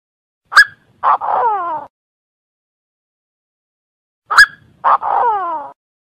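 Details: Chinese francolin calling as a lure: a short, sharp note, then a harsh, buzzy, downward-slurred phrase, given twice about four seconds apart.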